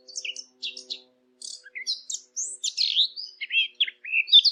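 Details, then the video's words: Eurasian blackcap singing for hunting callers: scratchy chips and short notes give way to clear, fluty, sliding whistles and a lively warble, with a soft low hum early on. "صوت التيان او عصفور التين"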